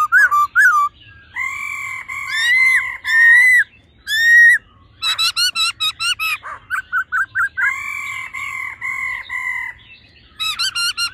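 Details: Female and male laughingthrushes, the male delivering a wild-forest style song meant to excite another male: long rich tones, then a rapid series of short clipped notes, then more drawn-out harmonic phrases.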